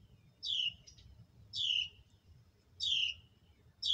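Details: Hatchlings being fed by their mother: loud, downward-sliding high chirps, four in a row, spaced about a second apart, over a faint low rumble.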